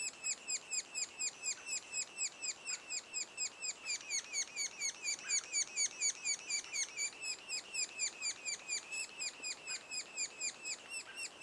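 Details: Sapsucker chicks at the nest two days before fledging keep up a long, rhythmic stream of short scratchy descending notes, about two per second, several voices overlapping, growing slightly louder midway.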